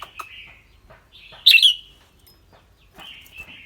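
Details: Red-whiskered bulbul kept in a cage, clear-voiced: a few sparse whistled notes, one loud warbled phrase in the middle, then a soft trailing whistle, with quiet gaps between.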